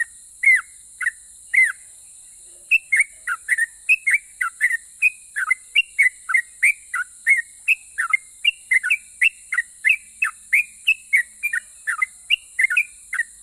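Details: Sooty-headed bulbul, a strong singer that prompts rival bulbuls to reply, pouring out a long, steady series of short whistled notes, some rising and some falling, almost continuously for over ten seconds.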